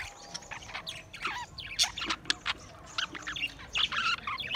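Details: Budgies recorded on 28 April 2023 trade scratchy squawks and quick, bending chirps in uneven bursts, forming lively, continuous group chatter.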